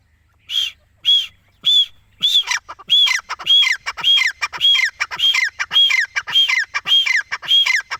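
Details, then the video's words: Francolin, known locally as Dakni or Desi Teetar, calling: loud, harsh, ringing squawk-like notes, each arched in pitch, at first spaced, then repeated rapidly, nearly twice a second, in a steady run over a quiet background. "Dakni Teetar ki Awaaz | Dessi Teetar | Teetar Voice | Francolin Voice"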